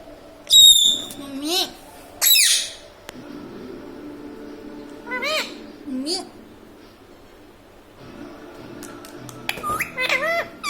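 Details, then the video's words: Pet talking parrot repeating words like mummy and papa: a few scattered harmonic, arched voiced syllables with sharp high squeaks and clicks between them, quiet room background. "talking parrot mummy papa"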